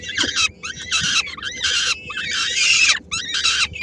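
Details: Peregrine falcons at a nest in Helmond, 13 May 2016, with 3-week-old chicks; female brings a small prey item to share and others snatch it: harsh, rasping screeches in bursts, about six in under four seconds, over a faint low rumble.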